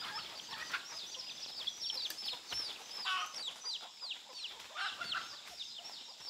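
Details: Wild chicken chicks from a flock met near a forest work site, caught and caged. A dense chorus of high, down-slurred peeping calls overlaps continuously, many chicks calling at once, with rustling in the background.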